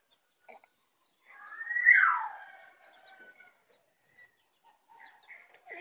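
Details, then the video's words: Young Bali white-eye of native Bali stock, just learning its ngeplong song: one loud downslurred whistle near the middle, framed by faint scattered chips and short notes. "Pleci Bali baru Belajar ngeplong"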